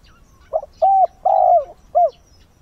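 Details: Single cooing phrase from a decoy spotted dove at dawn, meant to attract wild doves: a quick lead-in note, then a level coo, a long drawn, slightly descending coo and a short final note; faint background chirps.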